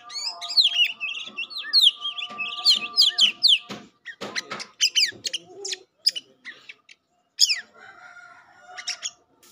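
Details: Oriental magpie-robin, a kept songbird in Indonesia, in a loud lively stretch of song: rapid whistled and scratchy phrases high in pitch, dense swoops and sharp chips packed together, then short pauses and a few sparser notes near the end.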